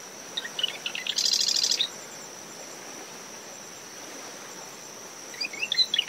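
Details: Marsh wren in dune shrubs by its nest at dawn, brisk winds following post-tropical depression Claudette. One complete song of stuttering chips rushing into a sizzling rattle, then a long pause and a second song beginning. Cricket drone and wave noise.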